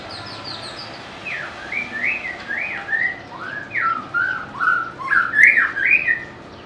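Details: White-rumped shama, a favorite of bird collectors for its melodious and varied singing and mimicry, giving a high thin opening trill then a series of swooping whistled notes rising and falling, roughly two per second.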